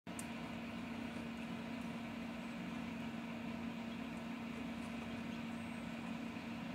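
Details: Steady mechanical hum with a constant low drone, like an idling engine or appliance; no animal sound is heard.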